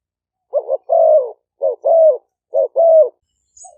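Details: Caged spotted doves of Malay and 'phad phone' lines, used as decoys in Roi Et, Thailand; three pairs of short note plus drawn-out coo, evenly spaced, a faint tiny chirp at the end.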